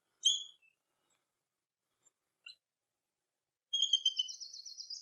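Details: A Bald Eagle (Haliaeetus leucocephalus) gives thin, high chirps, then a rapid stuttering series of piping, cackling, laugh-like notes that run for over a second; nothing else is heard.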